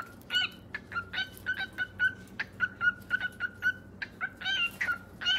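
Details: Cockatiels calling in a rapid run of short, rasping chirps, about one per second or faster, uneven in timing and loudness, with low room noise beneath.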